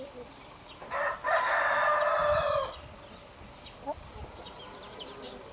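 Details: Rooster gives one loud crow lasting about a second and a half, a rich harmonic cry that holds steady and then breaks off. Faint clucks and background noise come before and after it.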